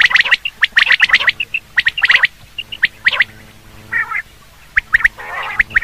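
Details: Common quail call used for hunting: rapid runs of short, sharp pips, often grouped in twos and threes, then a pause broken by two brief harsh bursts before the clipped notes return.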